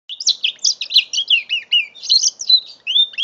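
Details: Continuous bright song from a five-month-old mule canary: fast, varied chirps, rolling trills and slurred whistles repeated in quick succession throughout; recorded with a phone in November 2011.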